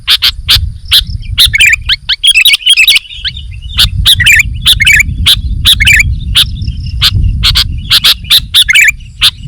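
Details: Sooty-headed bulbul (kutilang) singing energetically: rapid bubbly whistled notes and short chattering bursts repeated almost continuously, over a constant low rumble of background noise.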